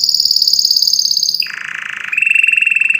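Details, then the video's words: Canary singing strongly for listening birds: a high, rapid pulsed trill, then a drop to a lower buzzy roll, ending in a steady mid-pitched rattling trill. "أقوى تغريد كناري لتسميع الطيور"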